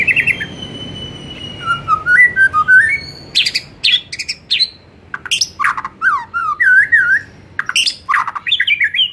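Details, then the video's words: Afternoon lure song of a white-rumped shama meant to get shamas singing more: a buzzy opening, stepwise whistles, loud sharp chips and looping warbled phrases, continuous and varied. "Pancingan SORE HARI efektif jadikan MURAI jadi LEBIH GACOR dan NGEPLONG"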